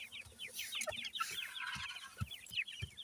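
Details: Grey partridge chicks of the new season with their parents: a dense chorus of short, high, downslurred peeps overlapping continuously, with soft low thumps and rustles beneath.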